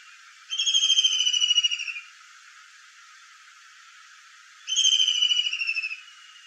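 A kingfisher gives two long, high, slightly falling shrill whistled trills about four seconds apart, against a steady background hiss.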